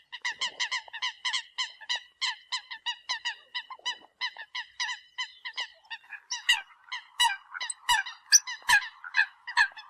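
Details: Eurasian coot calls to the flock: a long rapid series of clipped nasal notes, steady at first, then louder and more ragged toward the end with sharper clicks.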